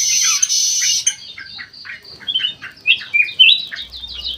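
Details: Aviary-kept black-crested bulbul (kutilang emas mata putih) singing actively: a harsh high burst, then a run of short, rapid chirps, about four per second, rising into brighter whistled slurred notes.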